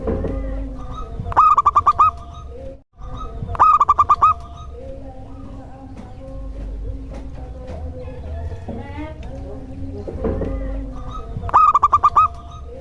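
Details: Local zebra dove singing, used to prompt other doves to answer: three short bursts of rapid, clear coo notes, each run of about six quick pulses, separated by long gaps over a steady humming background with faint tones.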